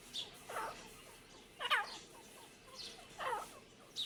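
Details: Partridge pair, local name Irani teetar, giving scratchy calls with descending notes, several seconds apart, partly masked by broad background hiss.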